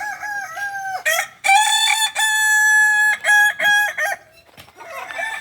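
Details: Kukuak balenggek rooster in a contest final at Ampang Kualo, Kota Solok, Sunday 8 September 2024; the crow comes in steps: a held note, a long ringing section, then three short clipped notes before fading.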